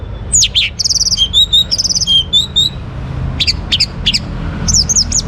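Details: Orange-headed thrush, young, from northern Bali, singing to get other birds singing: quick high slurred notes and buzzy rattles mixed with short whistles, then scattered sharp high chirps over faint low hum.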